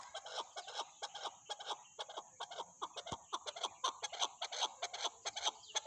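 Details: Chukar partridge clucking busily, roughly two to three notes each second in a loose, chattering rhythm, harsh and bright, with a steady whine behind.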